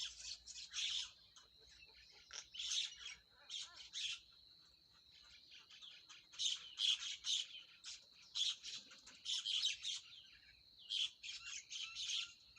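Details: Pet budgerigars (Melopsittacus undulatus) chirp in quick, scratchy bursts over a steady high whistling tone.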